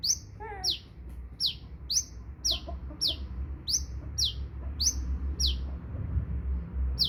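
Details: Sunbird giving loud, high rising-falling chirps in a rapid run, joined by a few softer, lower chirps from another bird early on, over low background noise.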